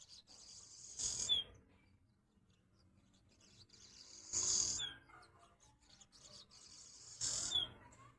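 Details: Swallows singing at a window: three short bursts of high, harsh twittering, each ending in a downward-slurred note, spaced a few seconds apart with quiet gaps between.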